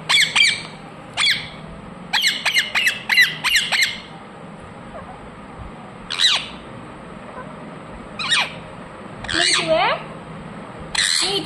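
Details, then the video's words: Rose-ringed parakeet with scattered shrill screeches, a tight cluster of five sharp calls early on, then isolated squawks and a longer wavering screech spaced several seconds apart. "Ringneck parrot Naturals Sound"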